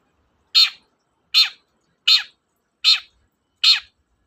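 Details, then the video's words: Long-tailed shrike, recorded as a lure for shrikes reluctant to sing, giving five loud, identical rasping screech notes spaced evenly about every 0.8 seconds against a silent background. "BURUNG CENDET GACOR, PANCINGAN KHUSUS CENDET MALES BUNYI"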